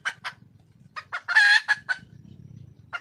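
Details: Red junglefowl hen, wild, calling to attract a male: a run of short clucking notes building to one long, loud, raspy squawk, then more clipped clucks, with low rumble behind.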